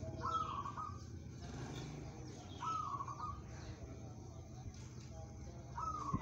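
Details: Local zebra dove, kept for song competitions and described as steady-tempered, repeating a brief trilled cooing phrase three times, roughly every two and a half seconds, over low rumbling background noise.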